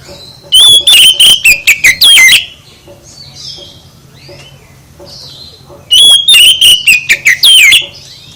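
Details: Provoking song of an oriental magpie-robin, played to draw a response from other birds. Two loud bursts of fast whistled and buzzy notes, each lasting about two seconds, are separated by a quieter gap with soft distant chirps.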